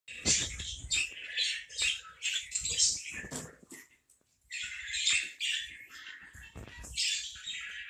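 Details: Parakeet chattering in bursts of scratchy, high warbling notes, with a short pause near the middle and faint low thumps beneath.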